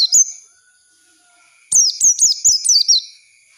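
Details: High, thin Oriental white-eye song meant as a training lure so untrained birds learn ngalas: a brief opening note, a quiet gap, then a rapid string of about five zigzagging downslurred chirps.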